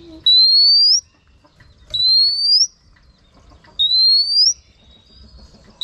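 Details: A female oriental magpie-robin gives a long upslurred whistle three times, each about half a second or more, separated by quiet gaps of under two seconds, to rouse males.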